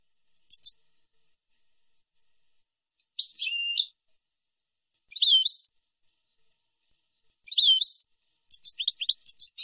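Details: European goldfinch nahrat and taqasim song meant for training young birds: a single chip, then three tinkling, buzzy phrases spaced a couple of seconds apart, closing with a rapid series of sharp notes.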